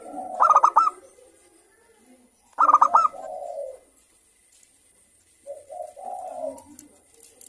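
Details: Local zebra dove with a crystal-clear voice, recorded as a lure to stimulate singing in others: two brief clusters of rapid, sharp coo notes, then low, soft purring phrases after a quiet gap.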